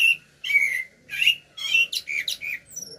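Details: Common blackbird singing live: a series of clear whistled phrases, each a short warbled note with squeaky high overtones, delivered in bursts about every half second with brief pauses between, in a quiet setting.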